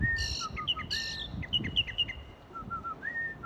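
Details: Bird singing in a palm tree in front of a marina in Wilmington, North Carolina: clear whistled notes, some sliding, mixed with harsh, buzzy, layered chatter bursts and quick chip notes, over low rumbling background noise.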